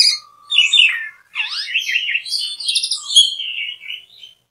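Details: Energetic Asian pied starling song of jumbled squeaks, swooping whistled slides and rapid scratchy chatter, delivered almost without pause for about four seconds.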